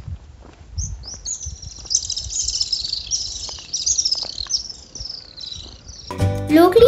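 Little Swift giving a long, shrill, high-pitched twittering trill lasting about five seconds, ending in a brief burst of music.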